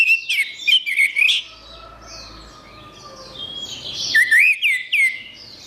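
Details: Orange-headed thrush: a rapid series of loud, looping whistled notes opens the song. A faint, thin high warble follows, then another run of three or four swooping whistles.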